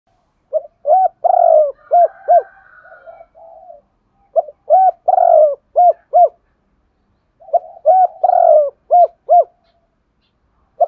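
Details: Spotted dove used as a lure bird, giving its double-voiced calling coo, locally called hai hậu. Three phrases of mellow, hollow coos, each a short pickup, a longer blurred coo, then a few evenly spaced rounded notes, separated by pauses.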